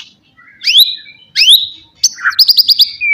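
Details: White-rumped shama singing to provoke rivals: two loud upslurred whistles about a second apart, then a high steady note and a quick run of sharp repeated chirps ending in a short whistle.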